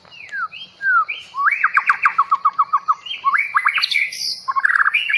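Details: Forest-caught long-tailed murai bahorok (white-rumped shama) delivers slurred clear whistles, then a rapid even run of short repeated notes, followed by varied bright warbling phrases.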